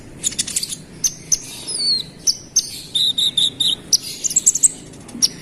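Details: Brown-throated sunbird (konin) singing vigorously to provoke rival birds: high, thin chirps and short whistled notes, some slurred downward, then a run of five even buzzy notes, with a soft low hum underneath.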